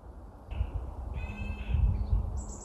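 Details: Middle spotted woodpecker in late winter (January) at an orchard-meadow forest edge, filmed by phone; it rarely drums and instead gives this brief nasal, harsh quacking call, a short note then a longer drawn-out one, over wind rumble and a thin high chirp.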